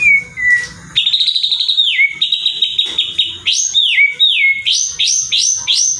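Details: White-rumped shama singing as a provoking lure for other shamas: a loud, clear whistled song of long sliding notes, then a rhythmic run of rising upswept whistles repeated about twice a second.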